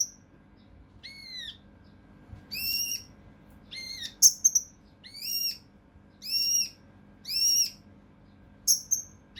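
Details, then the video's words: Mountain leaf warbler recorded as a training model for competition songbirds, in the coarse, tight-burst style called tembakan kasar rapat: arched, harmonic downslurred notes alternating with sharp piercing high whistles, spaced about a second apart over a faint low hum. "TEMBAKAN KASAR RAPAT UNIK | SUARA CUCAK RANTE MAS UNTUK MASTERAN BURUNG LOMBA"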